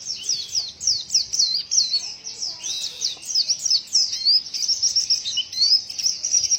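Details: White-eye giving a strange, unusual vocalization: rapid high-pitched chirps and twittering notes, sharply rising and falling, run together in a continuous chattering stream of varied phrases, with faint low background noise.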